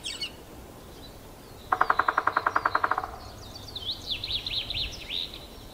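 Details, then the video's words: Male three-toed woodpecker drumming on trees in a forest park in Yekaterinburg on 25 May 2018, in warm weather after excavating a new nest hole; one fast, even roll of about a dozen hard knocks lasting just over a second, then other birds' trilled songs. "Когда дятлу делать нечего он по дереву стучит"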